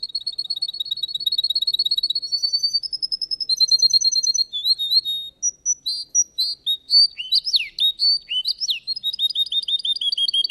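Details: Russian canary in a singing contest: long rolling trills of rapid high pulses, shifting through several tours with buzzy segments, sharp swooping notes, and a fast repeated trill at the end; no other sounds.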